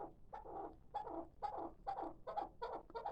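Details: Hybrid chukar partridge, a six-month-old young bird kept for calling, gives rough, throaty chuk notes spaced about two per second, each slightly rising and hoarse.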